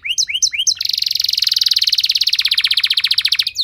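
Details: Canary song meant to trigger other canaries into singing: three quick rising chirps, then a long, loud, rapid rolling trill lasting nearly three seconds.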